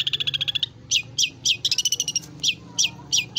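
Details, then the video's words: Long-tailed shrike singing a lively, phrase-filled song: a fast rattling trill of a dozen even notes, then spaced harsh squeaky notes broken by another quick chatter, over a low background hum. "Burung Cendet Pull Isiaan Gacor Atas Bawah"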